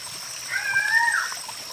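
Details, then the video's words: Guianan cock-of-the-rock giving one drawn-out nasal, harmonic call lasting under a second, bending upward then holding level, over a constant high-pitched whine and faint background hiss. "CANTO DO GALO DA SERRA, GALO DA SERRA CANTANDO MUITO!"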